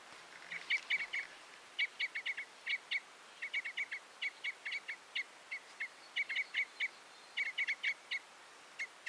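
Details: Common Crossbill delivering clipped chip notes in clusters of two to four, repeated evenly over quiet hiss.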